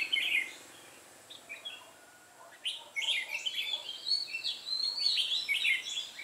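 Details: Singing decoy red-whiskered bulbul luring wild birds to a trap on 8 October 2017. A loud chirpy burst opens, followed by a quiet gap, then a long busy stretch of rapid, jumbled whistled notes.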